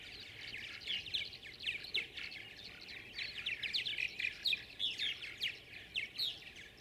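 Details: Many tree swallows crowding around nest boxes amid high competition: a dense, continuous twittering chatter of quick overlapping chirps and short slurred notes, pulsing in rapid bursts, over a low constant hum.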